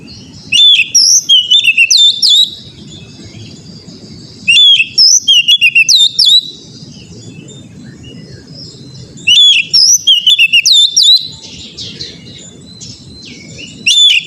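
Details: Oriental magpie-robin song looped as training material so caged kacer learn to sing; short bursts of sweet whistles and quick chips recur roughly every four to five seconds, low hum filling the pauses.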